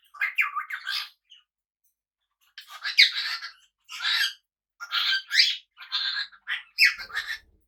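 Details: Pet cockatiels kept together with budgies; harsh, buzzy squawks come in short bursts, a cluster at the start, then a run of separate rasping calls after a pause, with a faint low rattle near the end.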